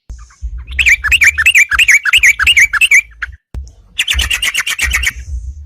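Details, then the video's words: Yellow-vented bulbul in full song, challenging rivals to fight and used as a lure: a run of rapid, looping bubbly whistles, a pause, then a fast chattering rattle, over low thumping. "suara crucukan gacor nantang tarung"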